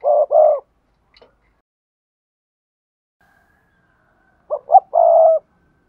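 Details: Spotted dove calling for bird keepers: one low, hollow double coo at the start, a long silence, then a phrase of two quick short notes leading into a longer sustained coo.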